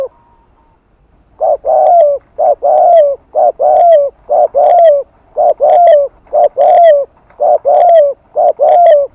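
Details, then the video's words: Spotted dove's 'hạp bổi' voice with 'thúc' and 'gù' cooing, played in the afternoon to attract and stir other doves: a steady series of short, throaty, mid-pitched coos, about one each second, with slightly falling tails. "Tiếng Cu Gáy Giọng Hạp BổI THÚC + GÙ"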